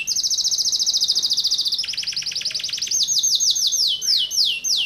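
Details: Domestic canary in persistent 'tembakan rapat' song: a very fast, dense high trill, then a buzzier rattling stretch, ending in a string of quick downward-swept whistles.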